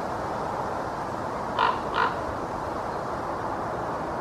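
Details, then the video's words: A common raven perched on a treetop in Helsinki, Finland, in October 2024 gives two short, harsh, hoarse notes about half a second apart, over a steady wind-like hiss. "Sounds of a Common Raven"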